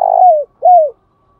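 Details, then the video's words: Spotted dove giving its calling coo: two smooth, mellow coos, the first longer, each sliding downward at the end, with clean silence after. "tiếng cu gáy thúc bổi & Gáy gọi mới nhất"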